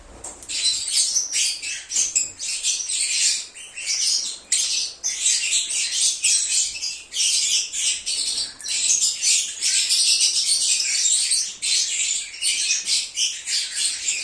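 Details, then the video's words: Several lovebirds singing and chirping, used as a lure to draw an escaped lovebird back: dense, shrill, high-pitched chatter of overlapping squeaks and trills, continuous with brief dips in loudness. "SONIDO DE AGAPORNIS. Reclamo ,cómo canta un Agapornis o INSEPARABLE."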